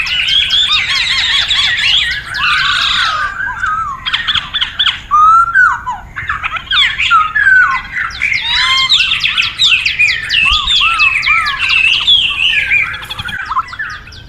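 Chinese hwamei giving a loud, continuous run of rich whistles, slurred notes and harsh squawky phrases, varied and rapid throughout.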